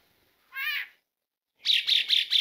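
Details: Asian pied starling call, used as a lure to get starlings singing: one short rising harmonic note, a pause, then four harsh raspy chirps in quick succession.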